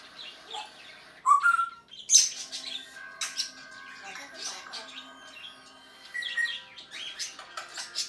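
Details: Pet African grey parrot indoors, May 2019, produces sharp whistled pips and clicks, then a mix of squeaky phrases and speech-like chatter with occasional clear whistles.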